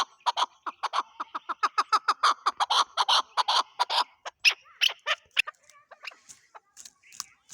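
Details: Chukar partridge, called chakor and named as Pakistan's national bird, giving a fast run of harsh clucking notes, about two to three a second, loud and steady at first, then thinning into scattered, fainter chuck notes.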